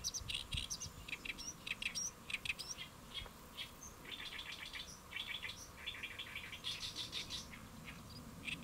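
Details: Great reed warbler on a lotus leaf, Saemangeum, Gimje-si, Korea, midday in early July 2024, delivering rasping chirrups and squeaky notes in rapid phrases, with a low rumbling background throughout.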